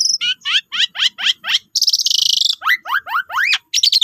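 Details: Asian pied starling lure song: a steady series of short descending whistled notes, a long harsh buzzy burst, then repeated rising slurred whistles.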